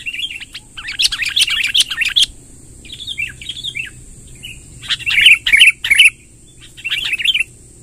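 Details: Sooty-headed bulbul long rolling song for attracting wild bulbuls: a dense chattering run of quick notes, softer scattered chirps, then three loud sharp bursts and a final quieter flurry, over a continuous thin whine.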